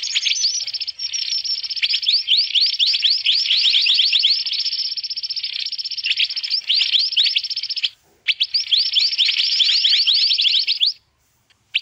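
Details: Noisy mantenan calling, used as a lure for trapping birds: dense, fast series of rising chirps about four per second, overlapping in a bright continuous chatter, with a short break near the end.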